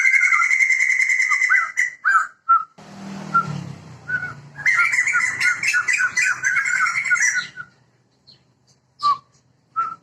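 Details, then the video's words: Male and female Sumatran white-crested laughingthrushes, protected and endemic to Sumatra, give loud cackling song: pulsing laughter, a stretch masked by low rumbling noise, another chattering burst, then a few isolated whistled notes. "Poksay Jambul Sumatera Gacor Jantan dan Betina (Sepasang)"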